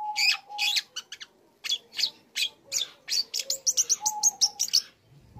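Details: Energetic young long-tailed shrike practising learned song material as a provocation for other shrikes: uneven bursts of scratchy notes followed by a quickening run of high, clipped chirps, with soft whistles behind.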